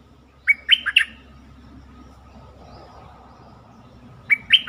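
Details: Bulbul lure song meant to rouse birds: a short burst of three or four liquid, fluty notes, then a long pause over faint background hiss, then the same bubbly phrase begins again.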